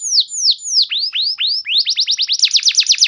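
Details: Canary song meant to provoke other canaries to sing long: several slow, high downward swoops, then an accelerating run of rapid rising notes that ends in a fast, even trill.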